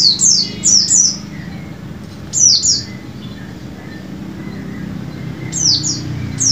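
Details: Lure song of a white-eye for prompting caged birds to sing: clusters of three or four very high, sharp downward-sweeping notes, separated by pauses of about two seconds, with soft faint chirps between.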